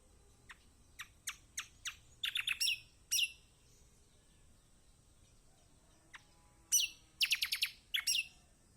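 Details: Kecial kuning, the lemon-bellied white-eye, in a master song used to spur silent birds: a row of thin, high descending ticks, short buzzy bursts, a pause, then a dense cluster of sharp chirps.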